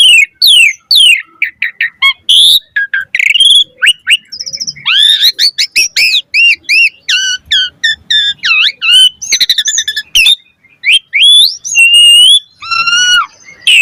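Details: Asian pied starling giving a fast, varied lure song while pumping: long dense stream of whistles, chirps and trills, some rising and falling, with brief buzzy bursts and a closing descending whistle series.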